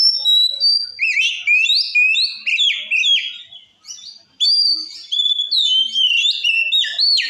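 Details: Loud white-rumped shama song used to provoke rival shamas: continuous varied whistles, stepped and slurred notes in rapid phrases, a short pause near four seconds, then renewed fluty bursts.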